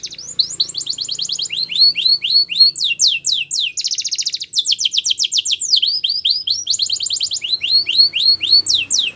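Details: Male canary kept for song training sings a long varied phrase: repeated high downslurred whistles, a dense buzzy trill at mid-phrase, then further rapid sweeping note series, continuous and loud with little background.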